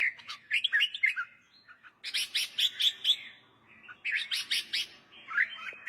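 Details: Red-whiskered bulbul song, meant for relaxed listening, for young birds to learn by singing along, or for stirring up other birds: bright chirpy warbled phrases, two dense bursts of quick notes with short pauses between.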